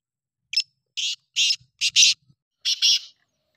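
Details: Harsh, grating call of a black francolin: a clipped opening note followed by a rhythmic run of five loud, scratchy, broadband bursts, the last two close together, with nothing else audible.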